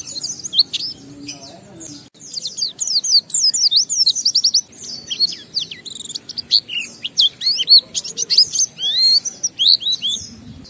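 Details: Lure song of an Oriental white-eye in ngalas style, meant to get other white-eyes singing open-beaked: bursts of thin, high, twisting whistles and rapid chips, quieter at first, then dense and loud.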